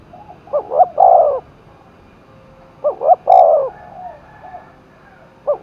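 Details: In Đồng Nai, a spotted dove roused to compete repeats its coo every two and a half seconds. Short stuttering notes lead into a long warm note, with faint softer coos between phrases.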